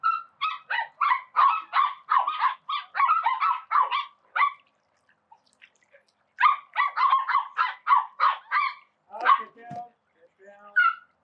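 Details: Call ducks by a spray pool: rapid runs of loud, raspy quacks, about three each second, break off for a quiet spell, then start again with a trailing, wavering note at the end.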